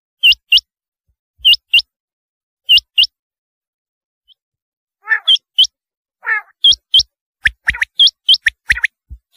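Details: Rain quail giving paired sharp upslurred notes, then a pause with two lower, harsher chattering calls, followed by a rapid series of quick high notes.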